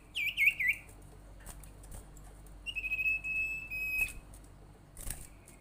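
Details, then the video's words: Sirtu bird lure call, played to get other sirtu or cipow birds calling: three quick wavering whistles open, then after a pause a long, even buzzy trill and a faint drawn-out whistle. "suara panggilan sirtu paling ampuh bikin sirtu atau cipow lain rajin bunyi"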